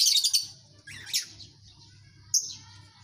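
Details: Lovebird colony: a brief burst of busy shrill chattering, a few lower scratchy notes, then a lone sharp high chirp near the end, with a soft low hum in the background.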